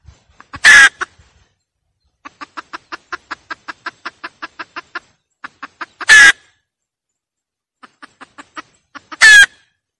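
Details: Hen cackling as a lure: steady trains of evenly spaced clucks, about three per second, each series capped by a loud, harsh, drawn-out squawk, three squawks in total.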